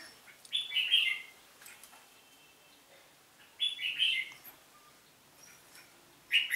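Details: Red-whiskered bulbul singing competitively: short bright warbled phrases of three or four quick notes, bursts roughly every three seconds with quiet gaps between.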